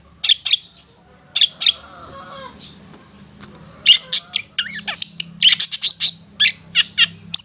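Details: Long-tailed shrike giving ngetet song, used as therapy to stimulate stressed or silent shrikes: loud harsh notes in quick pairs, a quieter pause, then a dense run of rapid chattering bursts.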